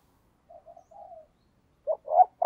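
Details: Short stretch of a morning decoy spotted dove calling wild doves: a few soft, low coos, then louder, fuller coo notes starting a new phrase.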